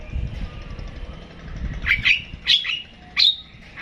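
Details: Long-tailed shrike (pentet) in 'tembakan' song: after a quiet low rumble, three loud, high, buzzy slurred notes come about half a second apart, then a fourth begins at the end.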